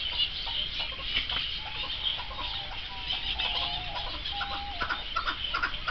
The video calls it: Rock/Chakur partridge call